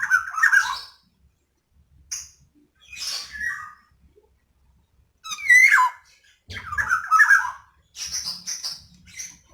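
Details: Female black-naped oriole calling, used as a lure to get lazy males singing: scattered harsh, nasal squawks and wheezy notes in irregular bursts, some with sharp high scratchy tops, separated by short pauses.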